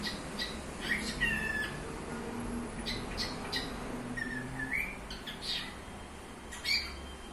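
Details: Pet cockatiel making scattered short whistled chirps, some sliding upward and some level, spaced irregularly over several seconds against a faint low-pitched room hum.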